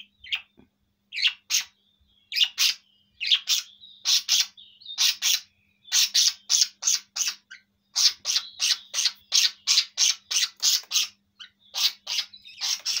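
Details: A four-year-old male budgerigar gives rapid, scratchy chirps and squawks, bunched in quick bursts about three times a second, with a few thin warbled notes between them.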